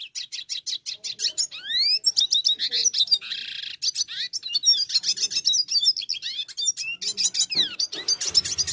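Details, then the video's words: Brown dilute red siskin sings a long, unbroken run of high, rapid twitters, buzzy trills and upslurred whistles, without pause. "Red Siskin Gacor"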